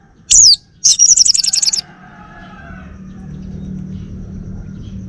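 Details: Orange-headed thrush, a male of the Bali type kept as a home bird, gives one sharp descending whistle followed by a rapid chattering trill lasting about a second, then silence with faint background hum.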